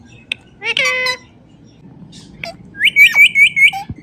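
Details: Indian ringneck parrot kept as a pet, making natural sounds: a loud harsh squawk, a brief pause, then a fast series of about six piercing high screeches in a steady rhythm.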